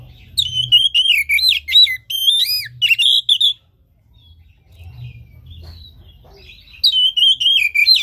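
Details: Oriental magpie-robin song used to rouse a caged bird that will not sing: rich whistled phrases with sharp rising and falling slurs for over three seconds, a pause with soft hum, then the loud varied phrases resume.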